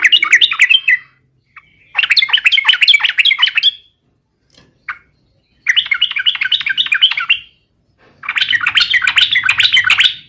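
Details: Yellow-vented bulbul in vigorous 'garuda' style song, used as a lure to prompt other bulbuls to sing. Four dense, bubbly phrases of quick chattering notes come roughly every two seconds, with faint background noise in the last.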